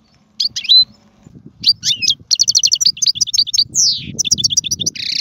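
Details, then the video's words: Goldfinch song for tutoring chicks: scattered chirps and a short whistle, then a dense rush of fast twittering, a sweeping slurred note and a harsh buzzy ending, over a soft low hum. "اسمع المقنين واعطي رايك فيه,افضل تغريد لتعليم الفراخ"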